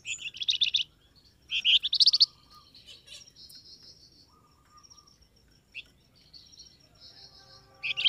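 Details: Flamboyan bird calling as a lure for wild birds to answer. Two rapid bursts of shrill chattering chirps open, followed by scattered faint notes and a final sharp chirp.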